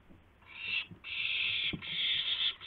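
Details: Owl calls recorded March 26, 2016 around 5:50 AM, when a gopher and then a mouse are brought in as prey; harsh, breathy hissing screeches in long bursts, three within under three seconds, with faint low knocks.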